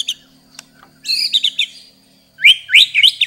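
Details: Murai batu, or white-rumped shama, from Indonesia in a varied 'isian' song: short bright whistled and warbled phrases with gaps between, over a faint steady low hum.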